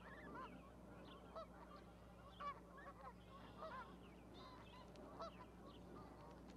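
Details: Goose parents with goslings on an osprey nest platform at Charlo, Montana, 12 May 2020; a few scattered, nasal honking calls spaced a second or so apart over a steady low hum.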